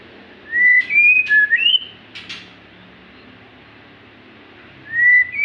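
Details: Magpie-robin singing short whistled notes at stepping pitches with an upward slur, a pause with scratchy ticks, then another rising whistle begins.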